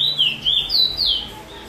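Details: Song of a chestnut-bellied seed finch, the Trini bullfinch, in the 'chee chor weet sweet roll' style, dated 22/06/20: loud rolling whistles at the start, then several looping slurred notes that fade out.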